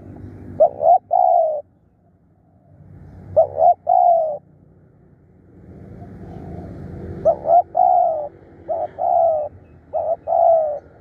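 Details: Decoy spotted dove, described as fierce and calling eagerly, repeats low hollow coo phrases: a stuttered pair of notes then a longer coo. There is a pause, then several phrases come in quicker succession near the end, over a low rumbling background.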